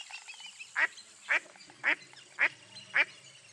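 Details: Mottled duck, a dabbling duck of eastern North America, giving a series of harsh, nasal quacks spaced about half a second apart, six evenly repeated notes over a faint background hiss.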